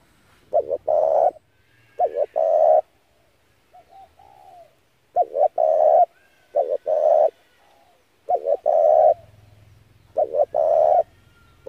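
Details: Spotted dove call used to lure doves for trapping. Six cooing phrases of short double notes and longer held coos, with soft falling murmurs between and a faint low hum near the end.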